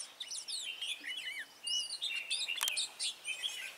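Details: Trapping session on 23 March 2018 with a red-whiskered bulbul decoy singing to provoke rivals: quick looping, slurred whistles rising and falling, short bursts separated by brief gaps, more than one bird audible, occasional sharp clicks.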